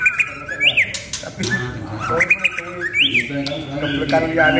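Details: White-rumped shama, called a promising contest bird, singing sharp rising whistles and harsher squawky phrases in bursts, with a man's voice and low background noise underneath.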